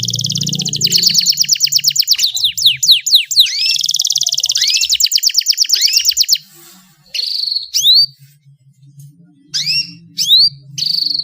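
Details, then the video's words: Female canary sounds used to make male canaries sing busily: long, rapid trills mixed with curved, rising whistles, then a pause and several separate upswept notes, with a low hum underneath. "SUARA KENARI BETINA, PANCINGAN KENARI JANTAN AGAR GACOR"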